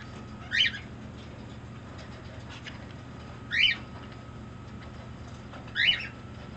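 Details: Pet turquoise (blue) green-cheeked conure, affectionate while making various demands: three short, sharp chirps that rise then fall, spaced about two and a half seconds apart over a quiet indoor background with a steady low hum.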